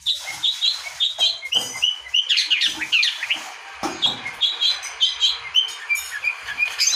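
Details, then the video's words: Long-tailed shrike singing in a lively, varied song meant to make other birds sing: fast run of short whistled and scratchy notes around mid-high pitch, with rapid chirps and slurred phrases, some harsher buzzy notes, no other clear sounds. "Burung pentet gacor bikin burung yang macet jadi gacor lagi"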